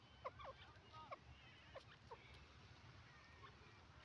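Grey francolin giving a run of sharp, ringing notes, five or so in two seconds, then fading, over a steady low rumble.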